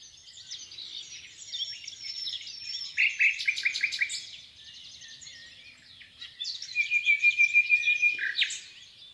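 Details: Common nightingale singing in the Rawka river valley near Doleck: loud phrases of rapid repeated notes near three seconds, then a long pure whistled note held steady before a sharp flourish, over a busy background chorus of other songbirds.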